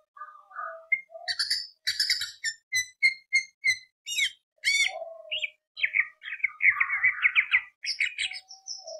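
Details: Greater green leafbird lure song in tembak beset long-roll style: low whistles lead into a fast series of about ten sharp, evenly spaced notes, followed by varied warbles and buzzy trills.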